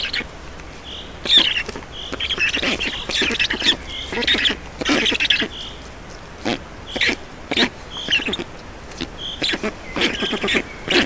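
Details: Black storks feeding at a nest in Estonia on 4 June 2019 around 18:07: repeated hoarse, wheezy squawking bursts, harsh and noisy, coming in short irregular bouts with brief pauses.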